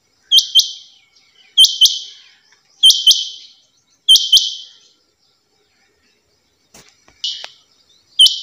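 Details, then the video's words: A female rain quail repeats bright two-note calls, each doublet ending in a brief buzzy trail, about every 1.3 seconds, then pauses before a different short rasping note and another call. "Quail sound"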